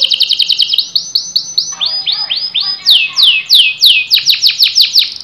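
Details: Canary song beginning with a fast trill, moving into evenly spaced arched notes and then bright descending sweeps, finishing with a quick run of repeated notes.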